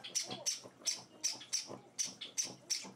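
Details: Young Java sparrows being hand-fed at home on their fourth day. They make insistent high, scratchy chirps, often in quick pairs, about three a second, with low soft speech beneath.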